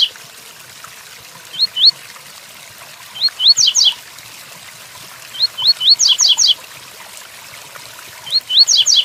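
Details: Double-collared seedeater in Tui Tuí Fibra style, with rain sound behind: clear rising whistles, two or three per phrase, ending in a fast run of descending buzzy trills, repeated several times.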